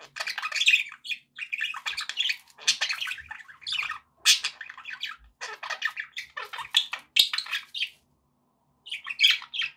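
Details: Pet budgies in lively chatter, busy squawking chirps and rapid warbles packed closely together, with a short quiet gap before a final burst.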